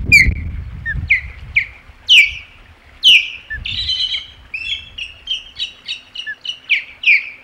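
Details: Osprey at the Hog Island nest on 27 July 2020, calling in alarm at an intruder: a run of sharp, high, down-slurred whistled chirps repeated about once a second, with low rumbling noise early on.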